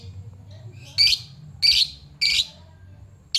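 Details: Lovebird calling to draw out a rival fighter bird: three loud harsh chattering bursts about half a second long, spaced roughly every 0.6 seconds, with a fourth starting at the end, over a low background hum.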